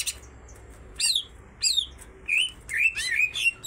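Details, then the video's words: A pair of greater green leafbirds singing loudly: clear whistled and buzzy phrases, some rising and falling, in bursts over a low background hum. "sepasang cucak ijo sama gacornya"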